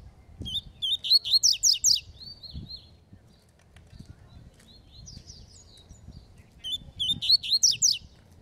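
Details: Double-collared seedeater in a Falcone-style song duel. Loud bursts of rapid, sharp, buzzy notes repeat about every three seconds, separated by softer, thin warbling phrases.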